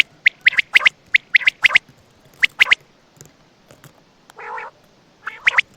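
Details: Quail heard at night near Attock giving rapid, sharp, high chip notes in small clusters, with one short nasal, harmonic note near the end.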